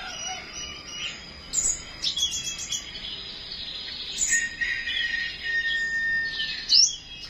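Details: Flowerpecker singing in the morning: thin, high chirps and brief sharp ticks in scattered bursts, with a steady higher whistled tone in the middle and a final bright upswept note, over a quiet background.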